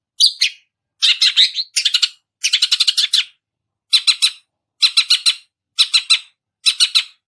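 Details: Long-tailed shrike imitating chick sounds while learning: grouped bursts of rapid, harsh stuttered chirps, three to six notes per burst, repeated about once a second in a steady rhythm.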